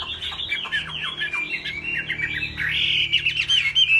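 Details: Laughingthrush singing high while flicking its broad fig-leaf-shaped tail: a rapid run of warbled, slurred notes with quick rising and falling phrases, growing louder and brighter toward the end, over a faint low hum.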